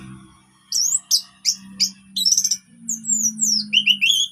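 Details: Relaxed orange-headed thrush song meant to make silent birds sing: varied squeaky, sliding whistles and fast upslurred notes over a constant low electrical hum.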